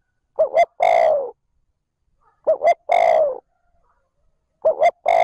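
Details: Decoy spotted dove calling in the 'trơn ròng' style to excite wild doves; two and a half phrases, each a double short coo then one long falling coo, separated by brief silence.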